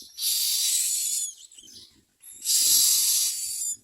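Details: Two long, loud, rasping hiss-like cries from myna chicks being fed, separated by a short pause with faint rustling.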